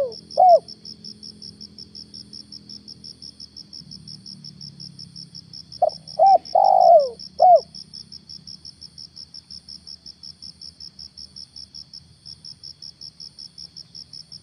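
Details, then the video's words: Decoy spotted dove on a Ramadan morning hunt; an isolated coo, then after a pause a full phrase of short notes and a long drooping coo, with steady rhythmic insect chirps filling the rest. "PEMIKAT TEKUKUR/DERKUKU/DENAK DI TURUNIN TEKUKUR GAGAP"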